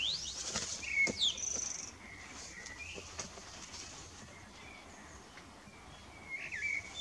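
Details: Common blackbird singing in the evening: a few short fluted phrases around the middle range, alternating with thin high twittering flourishes, with quiet gaps and a soft outdoor background.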